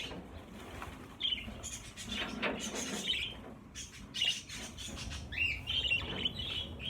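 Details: Budgerigars, a flock of about 50 caged birds being transferred to a bigger flight cage; short, bright chirps are scattered through the clip over rustling and knocking handling noise.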